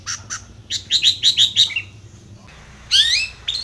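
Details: Long-tailed shrike provoking a rival: a rapid run of six or seven bright, buzzy notes, a short pause, then a loud grating rasp with a downslurred whistle.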